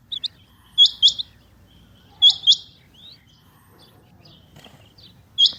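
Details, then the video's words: Calls of a female rain quail (chinga batair), given as clipped high double notes, two pairs close together with a longer pause, with faint scattered chirps and a low background hum. "Rain Quail Calling | Chinga Batair Ki Awaz| Female Rain Quail"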